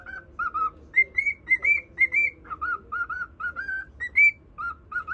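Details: Loud, clear whistling from a cockatiel singing to a budgerigar, with paired higher notes followed by lower sliding ones, repeated in a rhythmic melody.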